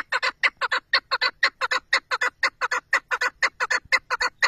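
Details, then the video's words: Chukar partridge kept for hunting delivers a brisk, regular series of grating 'chuk' notes in pairs, loud and clear against a quiet background. "keklik sesi,av kekliği,chakour birds sound"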